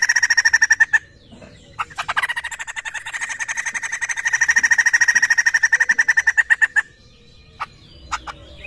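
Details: Poksay laughingthrush lure sound: a brief pulsed burst, a pause with a few clicks, then a long swelling run of rapid rattling notes, followed by quiet with scattered faint clicks.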